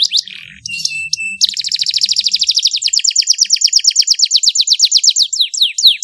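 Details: Canary training song with ornate long phrases: a few short buzzy notes and flat whistles, then a fast, loud pulsing trill of high notes that slows into spaced downward sweeps.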